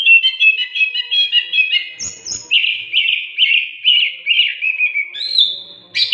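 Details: Oriental magpie-robin song for training caged birds; fast repeated twittering notes open, then a short high whistle and a run of burry trilled phrases, ending on sustained high whistles.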